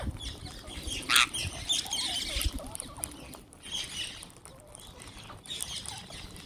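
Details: Wild green parrots gathered for food, making rapid shrill chirps and squeaky trills, densest in the first half, with a sharp flapping burst near the start and soft background thumps.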